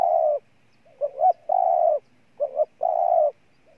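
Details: Spotted dove recorded in Ninh Thuận, Vietnam: a long coo, then two phrases of a brief double note followed by a drawn-out, low, level coo, with a faint soft note at the end.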